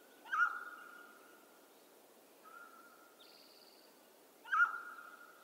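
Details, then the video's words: Mountain quail, western North America: two loud ringing calls about four seconds apart, each a sharp clipped start held as a level drawn-out tone, with a softer call between them and a faint higher warble from another bird. "Mountain Quail Call"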